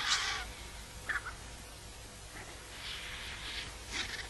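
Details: Griffon vultures (Gyps fulvus) at La Terreta, Tremp, squabble noisily over a carcass, jostling for position: harsh, hissing rasps in irregular bursts about every half second to second, over a low steady rumble.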